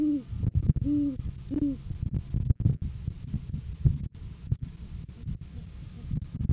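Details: Great horned owl at a live cam, 7 January 2023, courting season with the male bringing food to the female; three loud, evenly spaced arched hoots at the start, then only clicks and rustling noise.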